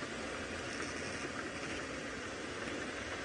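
Steady broadband rumble and hiss of a moving vehicle, with no animal calls heard.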